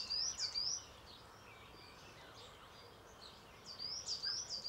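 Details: European robin sings on a grey day: high, thin, twittering phrases, a bright opening burst, a quieter gap of faint notes, then another sparkling phrase, over soft hiss; a coal tit may be audible in the background.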